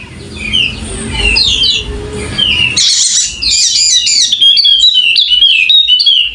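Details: Sumbawa's endemic Wallacean white-eye, golden-headed form, singing nonstop. Scattered high twittering notes over a low rumbling background lead into a loud buzzy rattle, then lively rapid warbling whistles around the same high pitch.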